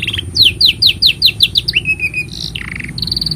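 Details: Canary long song for tutoring young birds: about eight rapid downslurred whistles, a falling slur into a low trill, then a high buzzy trill and a steady ringing trill.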